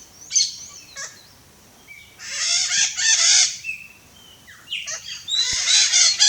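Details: Wild red-shouldered macaw in natural habitat in Brazil, giving harsh, broadband screeching calls in bursts of about a second, separated by short whistled notes and quiet gaps.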